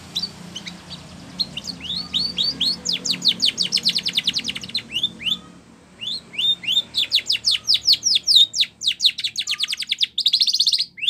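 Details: Spanish Timbrado canary song for training canaries: after a quiet start, rapid runs of steep falling notes, high and sharp, break briefly near the middle, then resume as fast trills ending in a buzzy roll.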